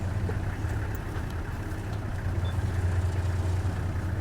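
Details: A steady, low vehicle engine rumble idles throughout, with no clear animal sound.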